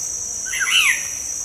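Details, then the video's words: Black-naped oriole song for luring caged birds into song: a short, bright whistled flourish, higher and slurred, set against a persistent shrill insect tone. "PANCINGAN SUARA BURUNG KEPODANG"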